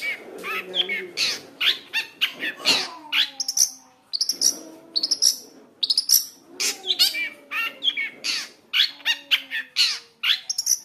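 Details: Long-tailed shrike song rich in varied fillers, played to make caged shrikes sing: quick mixed phrases of scratchy notes, high whistled slurs and soft descending tones, changing pattern every second or so.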